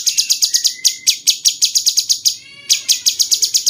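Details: Captive cucak cungkok bulbul whose song serves as a master for training champion songbirds; fast, even run of harsh ticking notes, a soft thin whistle slurring upward, a brief gap with a faint buzz, then more rapid ticks.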